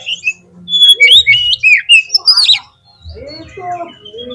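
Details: Oriental magpie-robin lure song meant to prompt another bird to sing: a run of loud, clear whistled notes, some rising and some falling, then a brief gap and softer lower slurred phrases.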